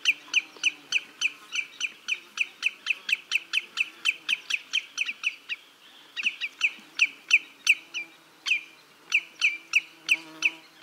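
Common greenshank giving sharp, high 'chip' notes, about three a second, in a long, steady series with brief pauses; no other clear sounds.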